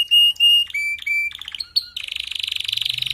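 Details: Canary song meant for a canary that is weak in singing: steady level whistled notes, then shorter clipped notes, ending in a fast rolling trill held for over a second.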